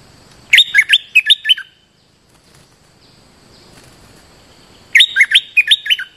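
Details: Bulbul decoy call used to lure wild birds in to a cage trap: two bursts of quick, bright whistled notes, about seven to eight each, rising and falling, separated by a few seconds of quiet.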